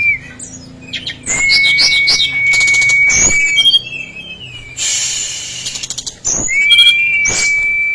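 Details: Brown-chested jungle flycatcher in vigorous song: level pure whistles broken by fast twittering trills, a harsh noisy burst, then another long, even whistle.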